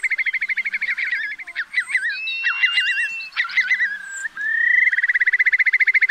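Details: Lure recording of a Eurasian curlew for night net trapping during August 2024 migration: a pulsing trill gives way to varied looping whistles and a long level note, then a rising whistle leads into another rapid bubbling trill.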